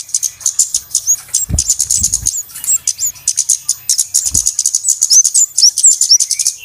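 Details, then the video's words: Flowerpeckers in a noisy lure recording used to attract birds for trapping: a dense stream of rapid, very high, thin chips with a few sharp, slurred whistled notes, plus several soft low thumps. "SUARA PIKAT BURUNG KEMADE RIBUT/ BURUNG CABE-CABEAN"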